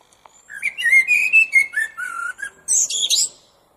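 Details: Common blackbird song: a run of rich fluted whistles sliding up and down, closing with a burst of high, scratchy twittering notes.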